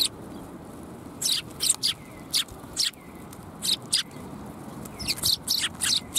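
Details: A flock of sparrows at Tenmangu shrine, afternoon of January 21, 2022: short, sharp high chirps in loose groups of one to three, with a busier burst near the end, over faint low hum.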